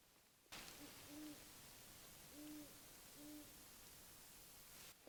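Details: An owl at a winter campsite, before 5:30, gives three low, steady hoots about a second apart against a constant background hiss.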